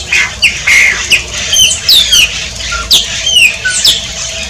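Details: Chupim (shiny cowbird) from Brazil: quick slurred whistles and short downward-sliding notes follow one another, with bright squeaky phrases and faint clicks over a low steady hum.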